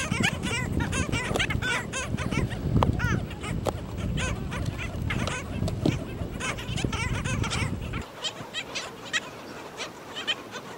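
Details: Black skimmers at their nests with chicks on St. Pete Beach, Florida, give short, nasal, dog-like yaps and barks, many birds overlapping in quick bursts, over a steady rumble of wind and surf that drops away near the end.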